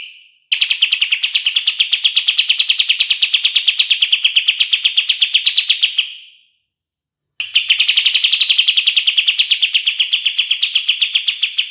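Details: Kapas tembak bulbul singing a master song for training songbirds: two long bursts of fast rattling trill, steady in pitch, separated by a second of silence, the first fading away before the pause.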